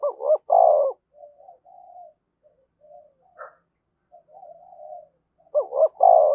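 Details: Spotted dove decoy calling in the 'thổ' voice style to lure wild birds: a loud phrase of two short rising coos and a long throaty coo, quiet muttered coos in between, and the phrase repeating near the end.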